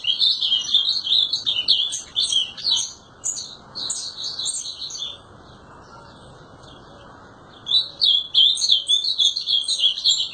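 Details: Ultramarine grosbeak (azulão) song: brisk high twittering phrases, a quiet stretch of several seconds in the middle, then another rapid, jumbled warbling burst.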